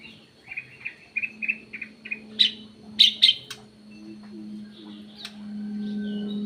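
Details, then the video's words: Kutilang emas or cucak emas kept in an aviary, giving a lure call: a run of short, bright chirped notes, then louder sharp notes and scattered softer calls, over a steady low hum. "KUTILANG EMAS \ CUCAK EMAS SUARA PIKAT GACOR"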